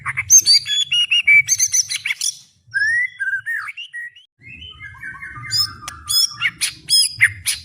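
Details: White-rumped shama (murai batu), a captive bird singing with fighting spirit: dense high twittering, a pause, soft falling whistles, then a chattering run of mixed notes building in loudness.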